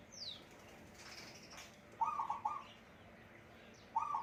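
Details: Young, not fully tame captive zebra dove, tail not yet long, excited and crowing after hearing wild doves: short, rolling, burred coos, two in quick succession and another two seconds later; a thin high chirp opens.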